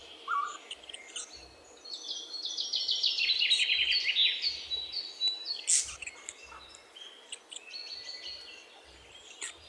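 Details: A great tit delivers a rapid string of bright, high repeated notes lasting a few seconds, followed by fainter phrases, with other birdsong and quiet background rumble.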